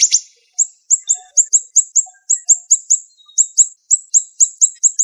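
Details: Siri-siri bird song in a fast, tight tutoring style of sharp 'shots': short, high, downslurred chirps repeated rapidly, about three per second, with brief pauses between runs; no other sounds clear.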